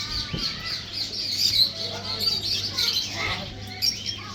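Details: A pair of pet sun conures, dancing, give a steady run of harsh, high chattering squawks over a low electrical hum.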